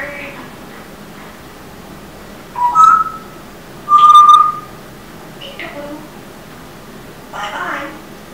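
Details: Pet African grey parrot indoors singing the start of the little song Rock-a-bye-birdie, two loud pure whistled notes about a second apart amid quieter speech-like murmurs.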